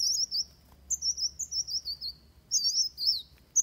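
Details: High, thin, wavering whistles from Van Hasselt's sunbird, a fighting song recorded for training birds, sung in quick linked phrases with short pauses.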